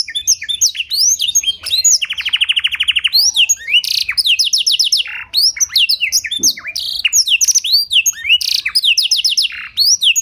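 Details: Long canary song with blackthroat phrases, meant to draw other canaries into singing: a dense flow of high sweeping whistles, a steady rapid trill around two seconds, and repeated chirp series.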